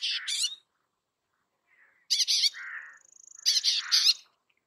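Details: Bay-backed shrike singing a jumble of harsh buzzy notes, a soft low warble, and a high fine trill leading into further rasping bursts; no other sounds.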